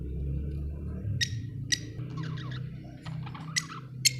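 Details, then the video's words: Budgerigar from Australia with sharp clicky chirps mixed with short buzzy chattering phrases, against a fairly loud, steady low rumble. "budgie chirping sound"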